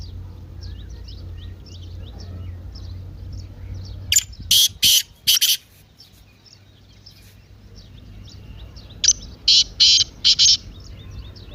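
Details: Partridge in excited 'masti' mode, played to rouse a quiet partridge. Two spaced phrases of three or four loud, rasping, high bursts, with soft twittering of small birds running underneath.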